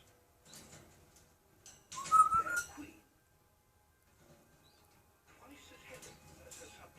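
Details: A pet grey parrot in America gives a loud, clear mid-pitched whistle of about half a second, set between softer chatter and faint background murmurs.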